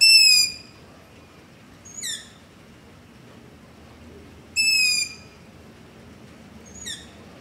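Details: Long-eared owl begging calls at night near a house, recorded with a ZOOM H5 and LOM Usi Pro microphone: two loud, shrill, slightly falling squeals about half a second long, alternating with two fainter, shorter squeaks, over quiet background hiss.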